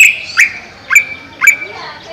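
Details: Caged greater green leafbird (cucak ijo) kept above a pond; loud sharp notes, each a quick downward-sweeping chip followed by a sustained high whistle, repeated about every half second, four times.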